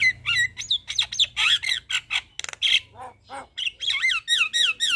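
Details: Fast, dense Javan myna song in the 'gacor full isian' style: squeaky whistled slurs swooping up and down mixed with harsh squawks and a rattling buzz, almost continuous throughout.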